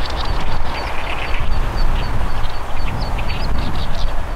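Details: Zitting cisticola calling in flight: a string of short, thin, high notes repeated steadily, mixed with a few harsher rasping notes lower down, over a strong low wind rumble.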